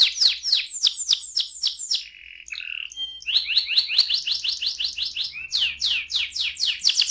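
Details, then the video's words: AF canary delivering a long roll, rhythmic bursts of sharp down-slurred high notes, a short nasal buzzy interlude with a few whistles, then renewed fast chattering trills repeated several times a second. "KENARI AF ngerol panjang"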